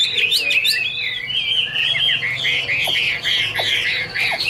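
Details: Hwamei song recorded in 2016: clear, fluid whistles glide and loop, with phrase after phrase shifting pitch in a continuous melodious warble.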